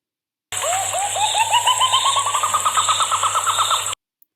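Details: White-throated Nightjar, common in southeast Queensland and most often heard calling at dusk: a quick run of about twenty upswept, bubbling notes that speed up and climb in pitch, like rising laughter, over a low steady hum.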